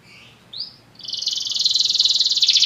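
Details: Belgian canary giving a couple of soft high notes and a short upward slur, then breaking into a rapid, dense, high trill that grows louder toward the end.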